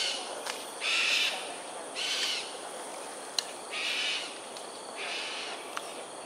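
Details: Cockatoos flying in an aerial display above Sungei Ulu Pandan, Singapore, on a January 2022 morning give four harsh, grating screams at uneven intervals, with brief sharp clicks between them.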